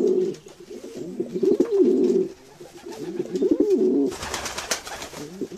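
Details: Domestic pigeons cooing in low, rolling phrases, several soft throaty coos overlapping and repeated through the stretch, with a brief burst of rustling or wing noise near the end.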